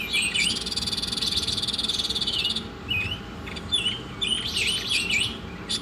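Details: Oriental magpie-robin song recorded for masteran: a long, even buzzing rattle with whistles for about two and a half seconds, then varied short swooping whistles and chirps.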